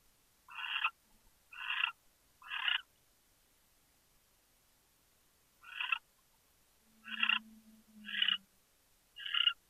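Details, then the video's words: Captive owl in Chula Vista, California, chittering on 23 January 2013 at 5:43 PM. Short, raspy bursts of chitter come about once a second in two runs, with a soft low steady hum near the end. "Chitter, Chitter, Chitter"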